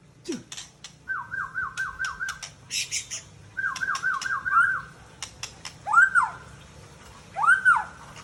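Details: Mature male Aceh white-rumped shama from Tangse, Indonesia: two rapid, evenly pulsed whistled trills with sharp clicks, then loud arched, ringing whistles repeated about every one and a half seconds.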